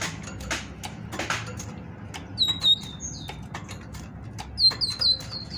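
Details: Female great tit singing to prompt males into song: thin high whistles, a few spaced notes, then a closing rapid run of four or five bright repeated notes, with scattered clicks and rustling behind.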